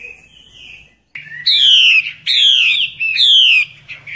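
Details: Female hwamei in the wild during the breeding season, calling to draw singing males; three bright, falling whistled phrases with buzzy overtones, preceded by a softer note.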